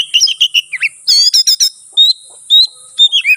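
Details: Oriental magpie-robin in provoking fight song: bouncing whistled notes, a burst of buzzy harmonic trills, then spaced clear high whistles and slurs over a steady high hiss.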